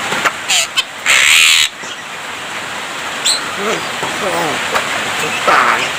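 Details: Javan myna singing with mimicked human speech and coughing; a harsh noisy burst, then wavering speech-like rising and falling tones and short squawks.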